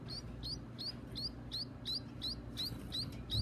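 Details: Baby birds calling at feeding time, short high upward-sweeping chirps repeated about three times a second, fairly faint over a steady low hum.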